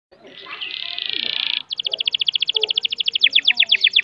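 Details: Canary singing with long breath: a sustained buzzy trill, then a long fast tour of clear repeated notes, about a dozen per second, growing louder toward the end.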